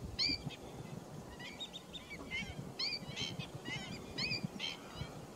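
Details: Pheasant-tailed jacanas recorded on 28 July 2021: a run of nasal, mewing calls with wavering overtones, given in short clusters of two or three, over a rumbling outdoor background.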